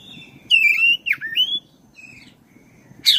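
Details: Black-breasted oriental magpie-robin singing, a lure for caged birds: a loud sweeping whistle with a dipping twist, short broken phrases, then a harsh burst at the end over a soft low murmur.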